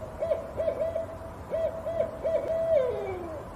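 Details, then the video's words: An owl gives a quick series of about seven short, mellow hoots on one pitch, then a longer note that slides downward at the end. "CANTO DAS CORUJAS SONS EMITIDOS"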